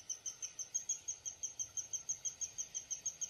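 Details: Downy woodpecker uttering a regular string of bright, high-pitched chip notes, roughly five per second, clear and even against a quiet background.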